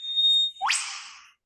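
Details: An Eastern Whipbird in Australia sings its breeding song: a steady, high half-second whistle that snaps into a sharp upward whip-crack, played back from a phone, with no other sounds.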